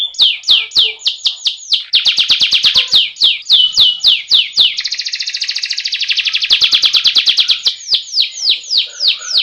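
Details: Domestic canary's rolling masteran song, played to coax birds into full song: quick repeated downward-sweeping notes, a long smooth buzzing roll in the middle, then more swept notes in steady rhythm.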